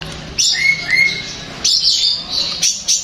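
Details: Long-tailed shrike song used to make another shrike respond and sing: high thin whistled phrases with a few clear lower whistles, broken by short pauses.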